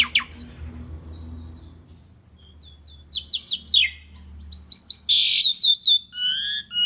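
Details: Asian pied starling singing vigorously for use as a tutor recording. A sharp opening whistle, a quiet pause, then a varied run of chirps, rising and falling whistled notes and dense buzzy bursts near the end.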